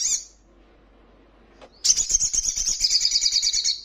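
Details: Ruby-cheeked sunbird in a recording meant to make caged birds answer and flutter: an opening high chirp, a pause, then a long rapid buzzy trill of about two seconds.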